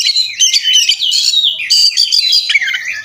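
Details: Oriental magpie-robin singing hard in fighting display on a tutor recording rich in fill-in phrases: a continuous warbling stream of high, wavering whistles and buzzy slurs with hardly a break.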